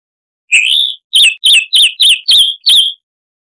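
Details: Chalk-browed mockingbird, Mimus saturninus, recorded as a harsh-voiced tutor for cage birds: one drawn-out rising whistle followed by six crisp, wavering whistled notes repeated evenly, about three per second.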